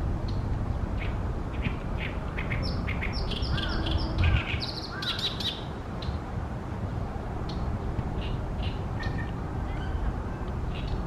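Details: Oriental reed warbler in full loud song at Ashiya, Japan, 28 May 2020, on a sunny day near its reed-pond nesting site; rapid rasping notes and repeated slurred whistles form a chattering phrase, then fainter calls, over continuous low rumble.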